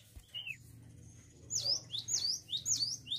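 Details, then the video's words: A woodpecker in active call gives one short falling whistle, then about five sharp, very high chirps in quick succession, over a faint low hum. "MASTERAN BURUNG PELATUK GACOR"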